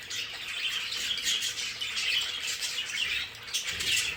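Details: A group of pet budgerigars in a decorated play space, heard as a dense, even wash of warbling and chirping calls with scattered clearer whistled notes.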